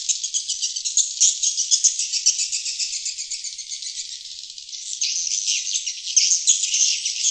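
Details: Luring call of swiftlets for drawing in wild birds: a busy high-pitched chittering of rapid rattles, fading somewhat in the middle, then jumping back louder and harsher in the last two seconds.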